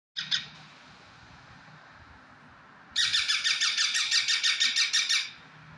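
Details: Parrot kept as a talking pet: after a short harsh burst, a rapid run of about a dozen harsh, buzzy squawk pulses, roughly three per second, over faint low room noise.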